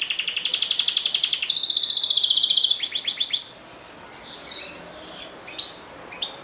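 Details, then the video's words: Canaries singing: a long even rolling trill of rapid repeated notes, then a lower sustained trill and scattered softer phrases fading away. "كنارات تغرد"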